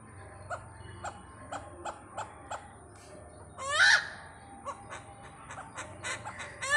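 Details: Great hornbill visiting Pathanamthitta: a run of soft, regular barks, then one loud grating croak, followed by more scattered notes and a rising harsh call at the end.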